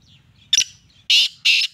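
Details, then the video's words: Black francolin giving a partial call: a brief sharp opening note, then two loud, harsh, grating notes in quick succession, in quiet surroundings. "kala teeter ki awaz"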